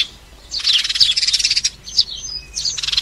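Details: Flock-calling sparrow sounds used to lure birds into traps: bursts of fast, buzzy chattering chirps separated by short gaps, with a few thin whistled notes in between.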